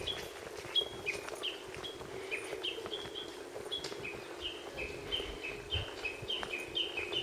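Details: Lesser cuckoo singing unseen at Akiyoshidai, Japan: a long run of quick, sharp whistled notes that alternate between higher and lower pitches and repeat several times per second, over a steady mid-pitched hum and soft background noise.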